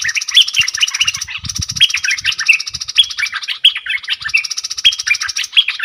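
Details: Caged bulbul dueling with wild birds on 3 October 2021: repeated bright, slurred whistled phrases over a constant high insect-like buzz, with soft low thumps underneath.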